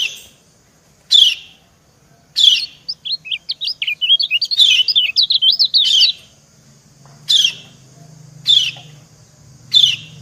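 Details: Female white-eye calling to a male: single sharp high downslurred chirps about once a second, interrupted by a long fast jumble of thin twittering notes, over a faint low hum.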